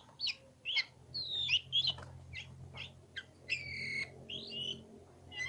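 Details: Oriental magpie-robin in ngobra song, with sharp chirps, slurred whistles and a longer descending whistle, heard over a steady low mechanical hum.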